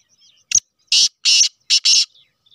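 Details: Black francolin of the Sheedi cross line calling: a sharp click followed by four harsh, grating, high-pitched notes in two pairs, the second pair tightly linked, over near-silent surroundings.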